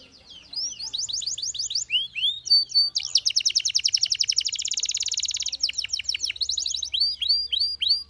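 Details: Belgian canary in full song: quick trilled phrases, then a long, dense buzzy roll of rapid notes lasting over two seconds, then arching sweeping notes to finish.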